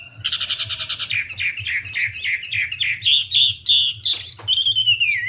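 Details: Wambi opening with a quick buzzy trill, then a rhythmic string of short warbled whistles, a few sharp clicks, and a final long sliding whistle that falls away; low background hum.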